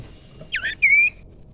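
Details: Young wild common iora, recorded as a lure call: a short bent note followed by a long, steady, high whistle that rises slightly, over faint background hum.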